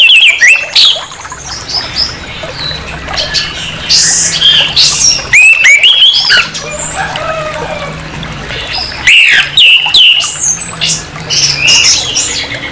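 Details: Orange-headed thrush giving harsh song meant to provoke aggression in another orange-headed thrush: loud, varied, scratchy phrases of sharp rising and falling notes, interrupted by short pauses, over a steady low hum.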